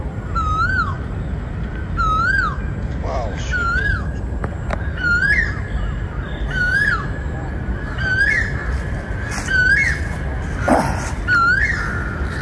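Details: Wild crows in a forest area, calling while trying to attack the person recording: hoarse, arched, down-sweeping calls with strong overtones, repeated roughly every one to one and a half seconds over steady low background rumble.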